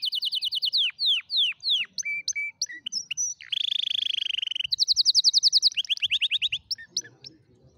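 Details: Canary singing to teach canary chicks the correct song: slow, steeply falling whistled notes, short chips, a dense buzzy roll, then a quick bright trill and a few downslurred notes.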